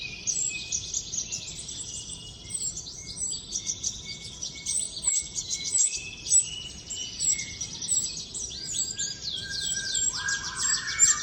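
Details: Wild common iora in lengthy trotol song: rapid, squeaky high-pitched chattering runs on without pause, a faint thin whistle underneath and a lower whistled slur near the end.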